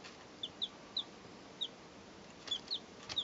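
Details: Three two-day-old chicks recorded in 2012: short, high, clear peeps, often sliding downward, given irregularly about eight times over three seconds against a steady background hiss.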